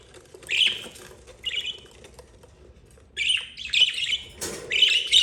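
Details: Mother budgie with four young, two yellow and two green, the oldest 32 days; a few scratchy chirps, then a denser run of rasping squawks and a brief broadband rustle.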